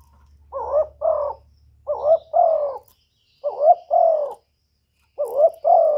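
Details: Spotted dove from Cà Mau, Vietnam, calling to stir decoy and wild doves for trapping. Four mellow two-note coos, each a brief upward note then a drawn-out falling coo, spaced about every one and a half seconds, with a low hum early on.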